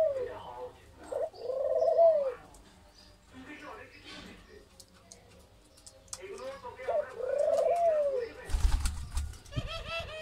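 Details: Two soft, mellow coos from an Australian dove on a farm in Feni, each a low rising-then-falling phrase several seconds apart; faint chatter and a brief clatter near the end.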